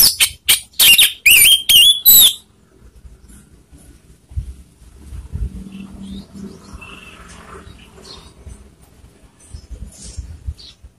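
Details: Orange-headed thrush singing a provoking lure song aimed at rivals: a rapid run of sharp, high whistled notes with slurred phrases for about two seconds, then quiet with soft background rustling and murmur.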